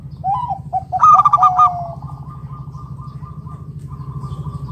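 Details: Local zebra dove, its voice meant to lure other doves into calling: a few soft rising coos, then a short loud rolling run of clipped notes, fading into faint sustained cooing over a constant low hum.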